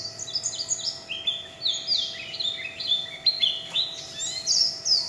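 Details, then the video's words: Warbling white-eye, a kept songbird, giving líu chòe song: rapid chains of high, sliding whistled notes stepping down then jumping up again, continuous and twittering, with a faint steady hum behind. "Tiếng chim vành khuyên líu chòe"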